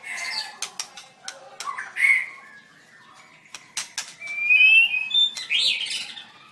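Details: White-rumped shama at a bird singing contest, singing and dancing: clear whistled notes and slurred phrases broken by sharp clicks, a bright rising whistle late in the sequence.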